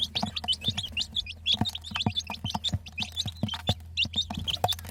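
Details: Domestic hen's baby chicks giving quick, piercing cheeps about twice a second, the notes sharply bent and uneven in timing, with dull taps and a low background drone.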